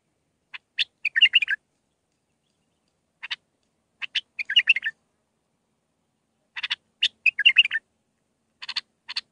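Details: Bulbul singing a Mandalawi-style song of six phrases for training young birds: ticking clicks leading into warbled, rolling phrases, repeated roughly every three seconds in a quiet setting.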